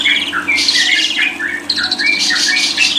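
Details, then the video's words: Lovebird delivering a dense, scratchy twittering stream of buzzy notes and short whistled chirps, loud and continuous over a faint hum. "100% jamin paling ampuh // paling di cari para kicau mania"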